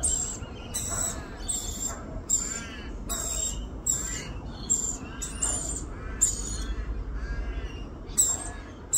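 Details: Female rainbow lorikeet feeding her chick, giving harsh, raspy screeches in short irregular bursts, roughly one a second, over a steady low rumble of background noise.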